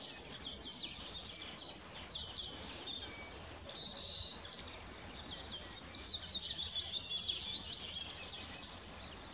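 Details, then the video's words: A European serin sings at Löderups strandbad on 3 May 2021: a very high, fast, jingling and buzzy twitter in two long bursts with a brief, quieter gap between them. "Gulhämpling - sång"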